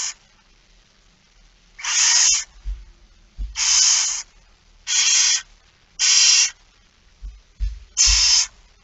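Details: Barn owl begging during a feeding at 06:57 on 13 September 2019: six rasping, snore-like hisses at uneven spacing, after a brief opening fragment. Dull thumps and scraping sounds occur between the calls.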